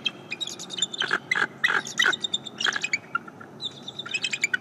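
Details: Bald eagle giving a morning greeting at its nest, picked up by a live nest camera: bursts of sharp, high chirps with ringing overtones, delivered in rapid clusters of a few notes each over steady background hiss.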